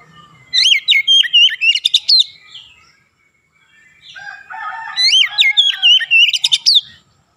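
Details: Oriental magpie-robin (kacer) singing in the ngerol and nembak style, rapid and lively. Two loud bursts of slurred whistles, sharp upward sweeps and fast trills are separated by a short pause filled with softer warbling.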